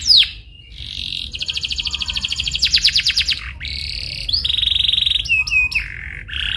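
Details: Canary lure recording for prompting a canary to sing: a sharp falling whistle opens, followed by rapid rolled trills, a pulsed rattle, and steady whistled and buzzy notes in quick succession.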